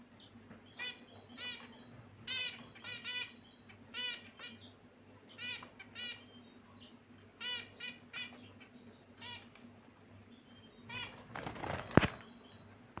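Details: Caged pet finches chirping: short, clipped harmonic notes in tight clusters of two to four, recurring roughly every second, with quiet gaps between bursts and a loud rustling, flapping noise near the end.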